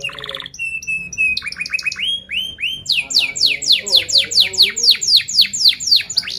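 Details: Canary in full song, used to lure and teach young canaries their sounds, runs from a buzzy opening through clear whistled notes into a tight, rapid trill of steep descending sweeps repeated about four per second.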